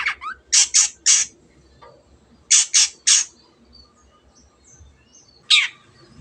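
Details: Shrike, a bird used to prompt other birds to sing, giving loud, harsh, grating squawks in groups of two or three with pauses between, plus a few faint softer notes.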